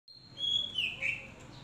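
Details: Hand-raised Oriental magpie-robin, one of nearly ten reared by hand and kept caged, gives a short whistled phrase gliding down through a bright, high warble.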